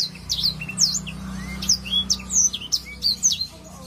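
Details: High, lively song of a black-throated canary in ngalun style, quick slurred whistles and chips tumbling several per second, over a steady low hum.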